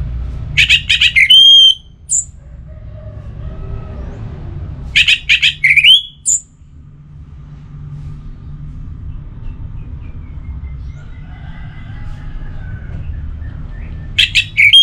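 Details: Kept orange-headed thrush giving pacing song in spaced bursts: harsh, scratchy notes ending in a clear high whistle, repeated about every four to five seconds, with a constant low drone behind.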